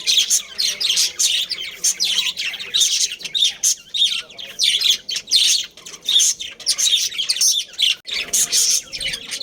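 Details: Budgerigar breeding pairs and families in a colony: busy high-pitched chirping and chattering in quick bursts about every half second, several birds overlapping throughout.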